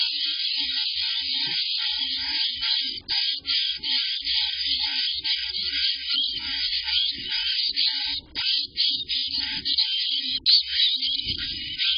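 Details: A steady, shrill electronic-sounding drone with brief dropouts fills the recording; no animal calls stand out.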